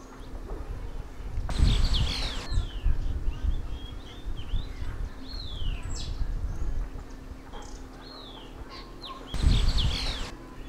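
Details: Streaked laughingthrush in Uttarakhand, India, giving a series of clear whistled notes, some rising, others sliding down in curved slurs, scattered through the recording, with two loud broadband bursts of wind or rustling and a low rumbling background.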